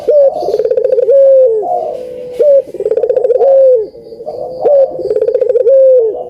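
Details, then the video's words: Puter dove coo played to stir lazy birds into song: loud throaty trills, each closing with a clear descending hoot, in a steady repeated pattern with brief gaps. "COCOK BUAT PANCINGAN BURUNG PUTER YANG MALAS BUNYI"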